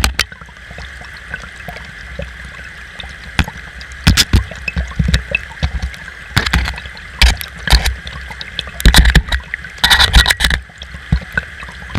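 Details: Water trickles and gurgles with a low rumble, broken by sharp knocks and bumps close by; no animal voice is heard.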